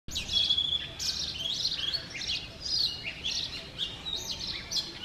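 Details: Male Oriental magpie-robin (Copsychus saularis) singing in the morning in front of a home in Sialkot, Pakistan: a run of varied clear whistled phrases and slurred notes, rising and falling, with steady low background hum.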